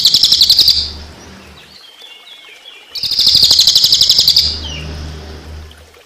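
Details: Cililin song set against running water for use as a songbird tutor: two bursts of fast, high, rattling trill, the second lasting about a second and a half, separated by a pause with faint thin notes.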